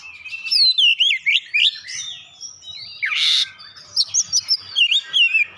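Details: Kacer song laced with imitated gelatik batu phrases: a quick run of looping whistles and chirps, then a harsh buzzy burst near the middle, followed by bright, clipped whistled notes repeated in a brisk rhythm.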